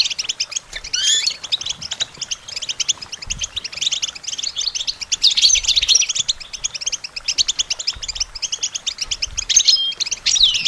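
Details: European goldfinch song for songbird training, an unbroken chatter of quick, high, metallic twitters with a few swelling bursts of denser buzzy phrases, sustained for the full ten seconds.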